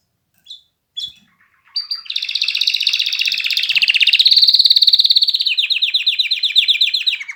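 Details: Canary song: a few short chirps, then a long rapid trill of repeated notes, buzzy and rolling, shifting slightly downward in pitch and continuing steadily to the end.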